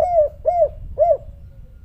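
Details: Spotted dove (tekukur) giving the 'kuk 3' coo style: three mellow, low hooted notes spaced about half a second apart, each gently arched in pitch, in a quiet setting.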